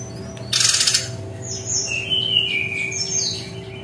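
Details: Brown-chested jungle flycatcher singing in a distinctive 'tembakan' (shooting) style: a sharp rustling burst, then a string of thin high whistled notes, some sliding downward, over a steady low electrical hum.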